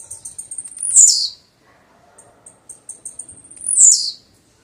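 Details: Two bursts from a blue-black grassquit: each begins with a fast series of faint high ticks and ends in a strong, buzzy, falling note. Near-silent gaps separate them.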